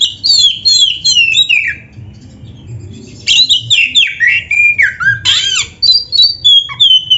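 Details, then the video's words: Oriental magpie-robin, a kept bird singing a full, varied song used as a master recording to train caged birds: loud whistled phrases, sweeping downslurs and rising notes in rapid bursts, with a short quiet gap mid-clip. "SUARA MASTERAN BURUNG KACER GACOR ‼️ DENGAN FULL ISIAN MEWAH"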